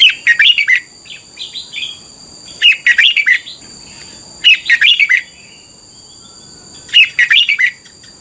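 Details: Caged red-whiskered bulbul, Thailand, morning tutor song for young birds: four short, bright phrases of rapid warbling notes repeated roughly every two seconds, each sounding much the same, with a continuous high electronic-like tone.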